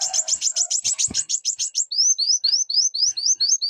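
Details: Brown-throated sunbird: rapid, buzzy high trill of chipping notes that changes into a row of short upslurred whistles in quick succession.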